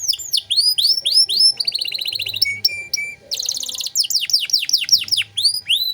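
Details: Vigorous canary song, 'cengkok mewah' style for tutoring untrained birds: curved rising-falling whistles, a dense buzzy trill, two short flat piping notes, then another rapid roll and descending sweeps.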